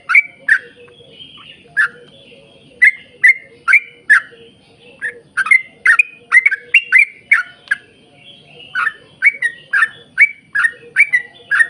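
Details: Bubbly bursts from a yellow-vented bulbul in the 'ropel panjang' long-song style, played to coax other bulbuls to sing; scattered chirps at first, then packed clusters of rapid, chattering notes toward the end.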